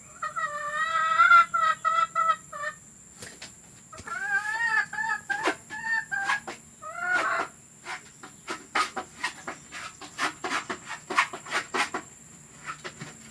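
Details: Hen recorded for playback to hens ready to lay eggs; bursts of loud harmonic squawking clucks in the first seconds, then scattered sharp clicks and knocks with fainter clucks, over a constant high hum.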